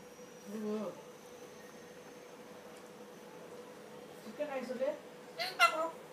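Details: Pet African grey parrot indoors, saying "chicken rice" while playing with a cup: a short low voiced sound, then a pause, then speech-like harmonic syllables and a sharp, bright final burst, over a faint steady hum.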